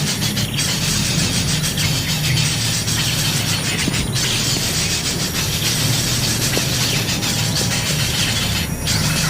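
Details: Loud, steady broadband rumble and hiss, like machinery or a passing vehicle, continues throughout without any animal voice.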